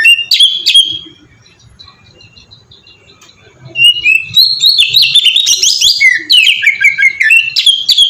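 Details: Oriental magpie-robin (kacer) giving ngeplong song as a lure for other birds: two sharp notes, a quiet gap, then a long loud stream of whistled, chattering phrases sliding downward.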